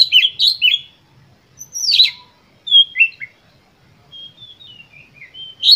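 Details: Oriental magpie-robin singing a full, emotional lure song to goad other birds. Harsh chattering bursts alternate with whistled, descending slurs and a soft, trailing series of gliding notes.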